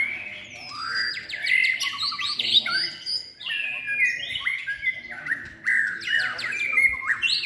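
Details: Singing-contest White-rumped shama, third moult season, producing a lively, varied song of sweeping whistles, clipped upward notes and quick chattering runs, repeated in rapid succession.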